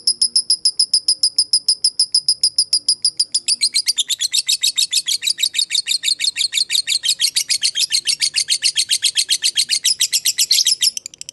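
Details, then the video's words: Lovebird of the fighter type singing a long ngekek, played as a lure to prompt other lovebirds to answer: rapid high chips about three per second, clean and evenly spaced at first, then turning into a denser, buzzier, rattling trill. "Dengarkan Suara Lovebird ini dijamin ikutan Nyaut Ngekek,Pancingan Lovebird Fighter"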